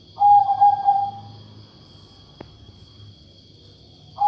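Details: Perkutut, a katuranggan majapahit zebra dove described as voiced unlike typical birds, gives a short burst of beaded mid-pitched notes fading into a level tone, then quiet with one click and a new phrase starting at the end.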